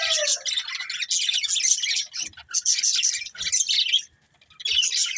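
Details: Budgerigars chattering in rapid scratchy bursts of high chirps, opening with a short descending whistle, then a brief silence before more chatter.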